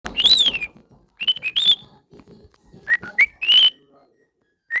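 A cockatiel sings clear, high whistles, some arched and some level, mixed with brief scratchy chatter.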